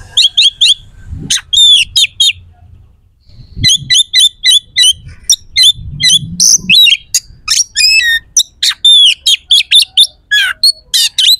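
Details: Prolific oriental magpie-robin song, rough and sharp, played to make rival kacer respond and fight; quick repeated chip-like high notes in trains, then dense varied chattering and rasping phrases with hardly a pause.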